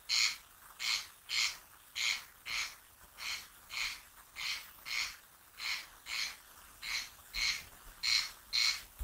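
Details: A male corncrake, hidden in vegetation, gives its dry, rasping double crex-crex call steadily about twice a second over a quiet background, a call that establishes breeding territory, attracts females and challenges intruding males; heard April to September.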